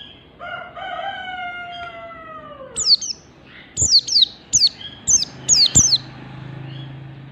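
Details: Mountain white-eye from Merapi in ngalas standar song. A rooster's long crow opens the recording, then a run of high, sharply descending whistled notes comes in quick succession.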